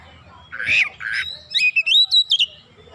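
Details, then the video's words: Oriental magpie-robin in vigorous song, a lure recording of its mimicked repertoire: two rough, harsh scratchy bursts followed by a quick string of high, clear sliding whistles, over a low background murmur. "PANCINGAN KACER LANGSUNG GREGET GACOR BONGKAR ISIAN"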